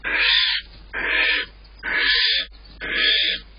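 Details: Barn owls in a nest box at dawn on April 8th, during the male's prey deliveries to a protective female; four harsh, hissing screeches, each about half a second long, repeated roughly once a second with short pauses between them.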